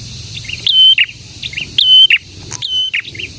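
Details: Prinia, known locally as prenjak, in lively full song: a sharp upslurred note leading into a level high whistle and a lower rough ending, given three times in quick succession, with softer twittering notes between phrases.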